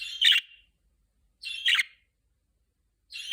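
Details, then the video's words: Budgerigar warbling during its pre-talking stage, giving sharp, buzzy chirping bursts with a bright squeaky tone, three in a row about one and a half seconds apart, with silence between them. "Muhabbet Kuşu Sesi #8 | Konuşma Öncesi Ötme"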